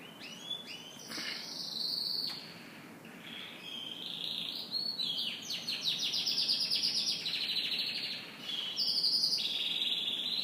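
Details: Canary singing in the morning: a long varied stream of high whistles, rolling trills and rapid buzzy chirp series with brief gaps.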